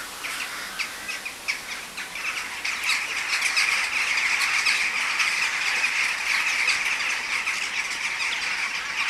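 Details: A flock of western jackdaws in Uppsala keeps up a dense, overlapping chatter of short, sharp 'chack' calls, swelling louder midway through.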